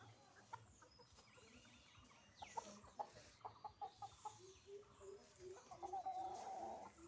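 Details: Rooster and hens in a morning rush, a run of short clucks and calls repeated quickly in the second half, getting louder and more frequent toward the end.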